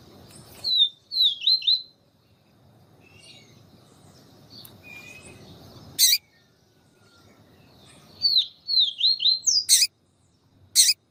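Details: Yellow-bellied Seedeater (papa-capim) tutor bird singing in the siu siu style, with a female calling to excite the male. High whistled phrases of quick slurred notes come twice, broken by loud sharp snapping bursts and a soft low rumble.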